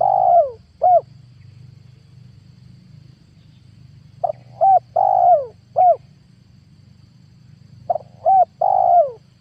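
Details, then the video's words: Spotted dove lure call used for trapping wild doves: three separate cooing phrases, each two short rising-falling notes then a longer sliding coo, spaced about four seconds apart over a low steady hum. "PANGGILAN TUKUKUR PIKAT 2022 COCOK BUAT PANCINGAN TEKUKUR LIAR"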